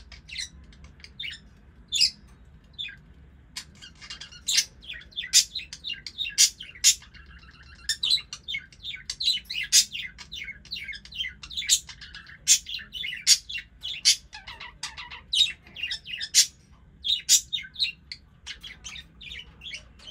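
A budgerigar chirps nonstop in quick, scratchy bursts of high notes.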